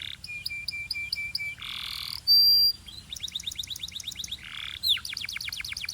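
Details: A Belgian canary (Serinus canaria domestica), warming up quickly, sings a fast, varied song of high trills, rapid repeated chips and bright whistled notes, with brief buzzy phrases between.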